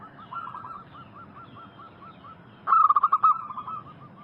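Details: Zebra doves in a lure recording for wild birds: a string of soft evenly spaced coo notes from a distant dove, then a loud rapid staccato burst from a nearer bird.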